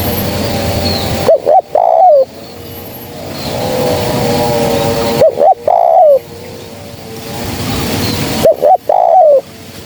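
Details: Trapping lure call of a female spotted dove: three short phrases roughly every three and a half seconds, each quick double coo plus a wavering falling coo, set against a steady hissing background.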